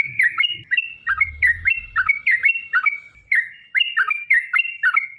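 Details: Sooty-headed bulbul song used as a lure to provoke other bulbuls into singing: lively, bubbly whistled phrases of short warbling notes, repeated quickly and almost without pause, with faint low thumps underneath.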